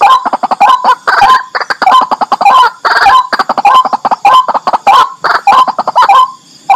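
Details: White-breasted waterhen, locally called kurawakwak, giving loud harsh repeated croaking notes in rapid bursts, roughly one or two per second, with a strong clipped quality.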